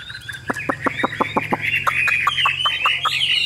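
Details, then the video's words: Chinese hwamei kept in a cage, with a yellow bill, opens with a fast even series of dry clicks, then slides into a continuous twittering, warbled phrase. "HM 1534 - CHẤT GIỌNG CỰC PHÊ"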